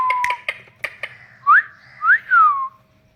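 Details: A pet ring-necked parakeet outdoors gives sharp clicks and a short flat whistle, then three clear, loud whistled notes, two sweeping upward and a final one sliding down.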